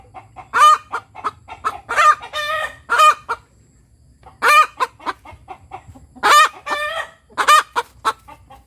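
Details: Native village hen cackling after laying, a 'tok tok petok' run of brisk clucks and loud ringing drawn notes, with a short pause midway before the bursts resume; low background rumble throughout.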